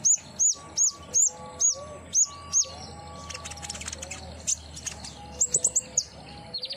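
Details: Captive common iora singing to stimulate another bird: a run of loud, high downslurred whistles repeated steadily about every 0.4 seconds, then softer mixed chirps and a final burst of rapid sharp notes.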